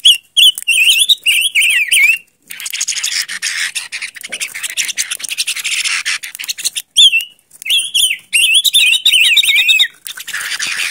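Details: Decoy silver-eared mesia giving bursts of wavy, warbling whistles at the start and end, separated by several seconds of harsh, scratchy chatter.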